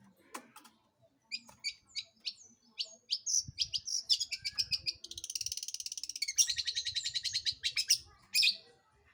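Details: Long-tailed shrike song played to provoke other birds into singing: scattered sharp clicks and chips build into a long, dense, fast high chatter, ending in a harsh squawk.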